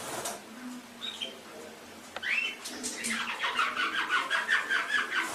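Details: Canary singing in an Indonesian masteran training recording: scattered chirps and a short rising whistle, then a long rhythmic series of rapid, evenly pulsed notes with a few clear whistled tones.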